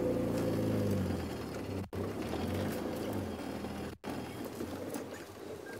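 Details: Steady vehicle engine drone with low humming tones, broken by two sharp dropouts, and no animal voice heard.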